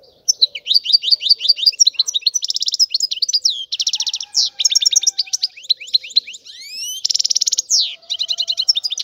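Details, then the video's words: European goldfinch song running almost unbroken: fast liquid twitters, dense buzzy trills and a couple of rising whistled slides. "تغريد الحسون"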